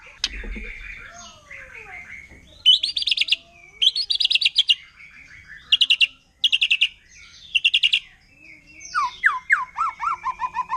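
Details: Rapid-fire 'nembak' song of a wild forest white-rumped shama, meant to rile other shamas: soft slurred whistles, then bursts of fast high buzzy notes, closing with a descending series of quick whistles.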